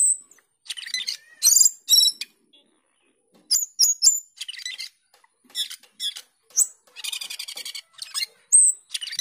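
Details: Starling called cucak keling or jalak keling singing in gacor teler style, a lively jumble of chirps, squeaky whistles and rattling chatter, delivered in irregular bursts.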